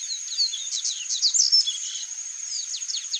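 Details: Chalk-browed mockingbird (Mimus saturninus) singing a varied run of quick high chirps, slurred downward sweeps and short warbles, over a steady high insect-like whine.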